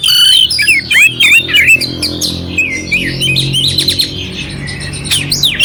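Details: Clear, coarse-filled song of an oriental magpie-robin meant to rouse another magpie-robin; rapid run of whistled phrases, down-slurred notes and scratchy buzzy bursts, about three notes a second, faint low hum beneath.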